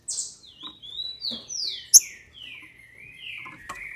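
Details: Female green-winged saltator, captive in Brazil, whose song is meant to excite males: a high opening whistle, then a chain of gliding notes stepping down in pitch, with one sharp click midway.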